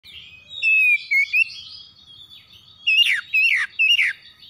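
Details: Oriental magpie-robins (kacer) answering each other in the morning with harsh song, loud whistled phrases broken by sharp, rough, downward-sweeping notes in short bursts.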